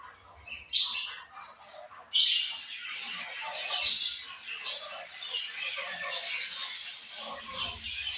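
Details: Budgerigars chatter constantly in a thick layer of high, warbling chirps and squeaks, with a low hum at the start and end.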